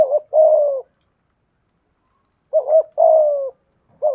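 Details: Decoy spotted dove, 'thổ' voice type, ends one phrase with a long falling coo, rests nearly two seconds, then gives a fresh double hoot and drawn coo before starting another double note.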